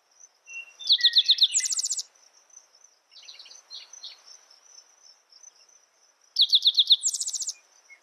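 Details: Two phrases from a spotted towhee, each a few crisp introductory chips leading into a fast, rattling high trill, separated by quieter chirps of other birds over a constant thin insect drone.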